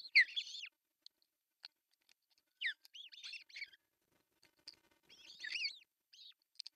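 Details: Nest-camera recording from Pohjois Satakunta, Finland, June 10, 2024: an osprey calls while the male delivers a large fish for breakfast. Loud, sharp, downward-sweeping whistled chirps come in clusters separated by silent gaps.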